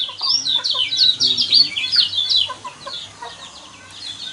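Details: Yellow white-eye singing, a sound used to goad caged birds into song: a dense, hurried run of high, warbling twitters for about two seconds that thins out into scattered soft chirps.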